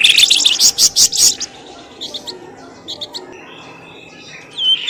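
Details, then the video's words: Lure call used to bring birds out of thickets: a rapid run of bright, high chips for over a second, then a few fainter scattered notes and a rising whistled note at the end. "SUARA PIKAT BURUNG pelamboyan ribut"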